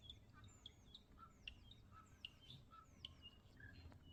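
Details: Common starling delivering repeated sharp downslurred whistles mixed with short mid-pitched warbled notes and clicks, fairly busy and varied, with low rumble underneath.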